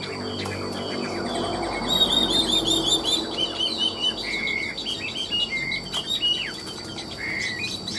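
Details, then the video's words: Chinese hwamei kept in a cage for sale, praised for ornamented, machine-like singing while nodding: clear short whistled notes in quick series, some rising and falling, with brief louder slurred phrases near the end. "Họa mi đẹp hót hay, Cao cầu đuôi lá vả, Gật gù luyến láy hót như máy"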